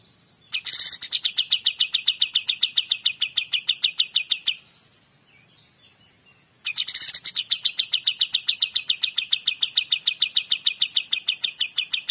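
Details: Kapas tembak, the Cream-vented Bulbul, in energetic 'gacor dor' song: two long bursts of fast, ringing chip notes, each several seconds long and about four per second, separated by a short pause with faint soft twitters.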